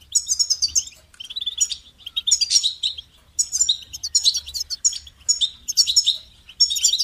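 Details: Clean recording of goldfinch song, rippling phrases of sharp chirps and sweet liquid trills, each burst lasting under a second, repeated with brief pauses and no other sounds.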